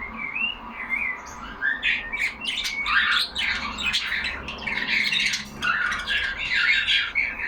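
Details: Several pet budgerigars in a cage chatter to one another indoors, a steady stream of scratchy warbles, clicks and bright rising whistles, busy and continuous throughout with small surges of louder squawks.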